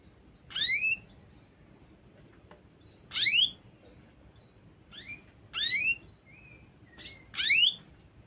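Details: Female canary giving repeated chirps, bright downward-sweeping notes with stacked upper tones roughly every two and a half seconds, a few softer short notes between, steady faint room hum.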